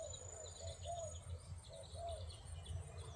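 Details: Spotted dove used as a decoy to call wild doves for trapping; soft, low, arched cooing notes in a loose repeated series, over a steady low hum and a thin high whine.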